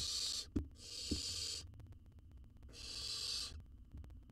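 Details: Owl chick in a monitored wild nest box in Israel while being fed a jird: three rasping, broadband hisses, two close together then one after a pause, with soft knocks and scuffling between them.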